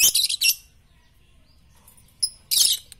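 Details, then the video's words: Lovebird training sound for morning, noon and night: a dense burst of shrill, rasping chirps, a pause with a thin high note, then another loud grating burst. "masteran Lovebird pagi siang dan malam paling cocok"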